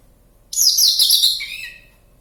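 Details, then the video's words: A Javan bush lark in the wild at Kediri, Java, sings actively: a single brief burst of piercing, fast, jangling notes that slides to a lower drawn-out buzzy note. "Branjagan Jawa gacor ngalas kediri"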